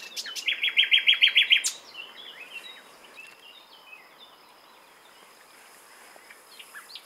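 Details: Nightingale singing a rapid, evenly spaced series of loud repeated notes for under two seconds, then quieter twittering fragments fading out against a soft hiss.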